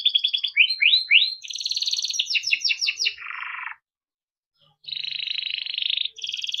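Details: Timbrado canary song for training: rapid rising notes, then a run of fast downward-sweeping trills, a lower buzzy rattle, a second's silence, and a long steady high trill.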